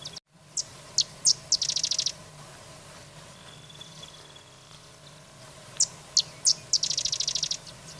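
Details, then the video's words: Carrizalero singing: a few sharp high chirps, then a fast buzzy trill of rapid repeated notes. The pattern occurs twice, with a quiet stretch between and a faint thin whistle in the middle. "El Carrizalero Las #aves del mundo su belleza y #canto"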